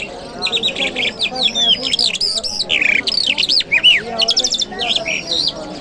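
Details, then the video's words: Lark in Kabul city on a Friday morning, singing a long continuous run of quick twittering notes, up-and-down slurred whistles and dry rattles. Steady stream with a few brief pauses, mild low background noise. "Jal Birds Sounds | Lark Singing | جل مشهدي | طرقه | قزالاق | صدای جل مشهدي"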